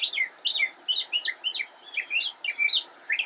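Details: Young northern mockingbird in a bush, Cabarrus County, North Carolina, 10-10-2016, sings a busy medley of high, varied chirps and slurred whistles, each short phrase quickly followed by a different one.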